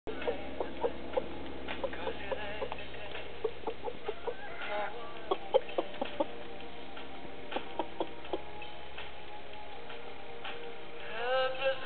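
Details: A rooster shows young pullets where to lay their eggs, giving a steady series of short, clipped clucks, some doubled, spaced irregularly about every half second to second, with a louder, drawn-out call near the end.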